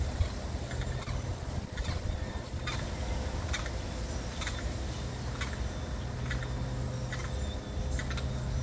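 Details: Harsh, ragged limpkin cries in a territorial dispute in Florida come in short bursts about once a second, over a constant low engine drone.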